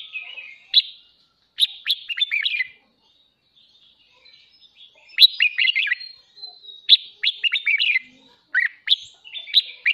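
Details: Red-whiskered bulbul kept as a cage bird, morning song used for voice training and to spur song contests; repeated bursts of bright, bubbling, chirpy notes, some phrases run together, with brief silences between. Nothing else is audible.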